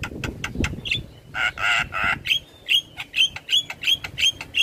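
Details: Javan myna song used as tutor audio for training all kinds of starlings, the bird singing in full head-bobbing display: rapid clicks, a burst of harsh buzzy squawks, then short rising whistled notes repeated about every third of a second.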